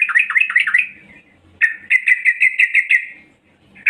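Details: Female yellow-vented bulbul calling to attract males: a quick run of bubbly rising notes, a pause, then a steady string of clipped, even chirps, about eight in a row, closing with one sharp note.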